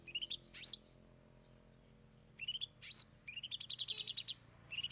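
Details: Cendet, the long-tailed shrike, singing its three 'isian' fill-in songs: sharp, high, squeaky chirps and trilled runs of rapid notes in uneven bursts over a faint low background hum.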